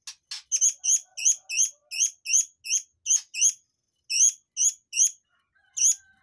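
A forktail gives a quick run of sharp, high whistled notes, about three per second, with a brief pause and a thin drawn-out whistle at the end.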